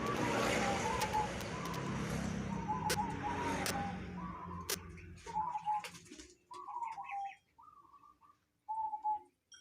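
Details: Local zebra dove calling strangely: soft cooing notes half buried in rushing noise at first, then clearer wavering coos in short separate phrases as the noise fades.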